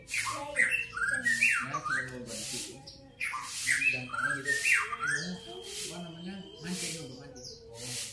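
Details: Grey-cheeked bulbul making harsh, squawky, slurred calls in two bursts of several notes each, separated by a short pause, with noisy rasping sounds alongside.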